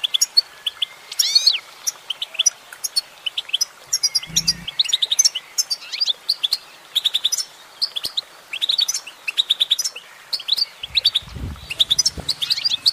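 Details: A female goldfinch sings a long twittering sequence of sharp chirps, trills and upslurred notes, in clusters separated by short gaps, with occasional soft low thuds.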